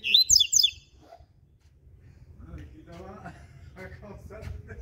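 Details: Brief high, buzzy zigzag phrase of a double-collared seedeater's ziper song at dawn, followed by several seconds of low voices and murmuring.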